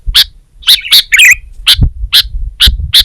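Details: Short burst of Sooty-headed bulbul song: a few clear chip notes with a quick, scratchy warbled phrase, over faint low noise.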